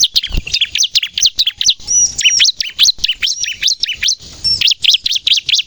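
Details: Energetic Bar-winged prinia song with sharp 'nembak' phrases, meant for luring birds and coaxing captive prinias into song: quick, high, twittering chirps, some thin whistled slurs near the middle, then a short lull before fast chirps resume.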